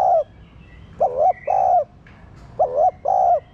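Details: Spotted dove coos meant to prompt captive doves to call: the tail of one coo, then two phrases, each a short hooked note and a drawn-out mellow coo, with soft chirps from other birds.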